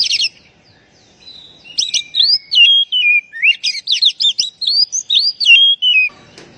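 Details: Oriental magpie-robin (kacer) lure call for untrained, stressed birds that have stopped singing: a brief high note, a pause, then a run of clear whistled phrases, rising and falling slurs, and quick buzzy trills.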